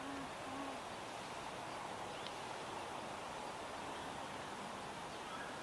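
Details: An adult male Tawny Frogmouth calling after sunset in a suburban park beside Gardiners Creek, Melbourne, Australia, on 18 February 2024, gives two soft, low, hollow 'oom' notes in quick succession over steady hissing background noise.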